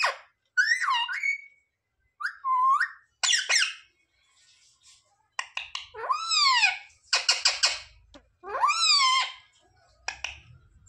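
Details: Indoor parrot (tota, mithu) that mimics words like "mummy papa", uttering looping, rising-then-falling voice-like phrases and rough syllable clusters, spaced by short gaps, with faint low rumble at times.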